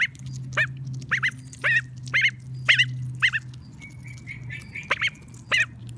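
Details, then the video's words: A pet female call duck gives loud, nasal, high-pitched quacks, about two per second in an uneven run, over a low steady hum. "Quacking sounds of female ducks"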